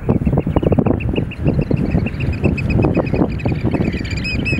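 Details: Display dance of Eurasian oystercatchers: rapid, evenly spaced shrill piping notes repeated several times a second, ending in a burst of higher overlapping calls, against strong low wind rumble.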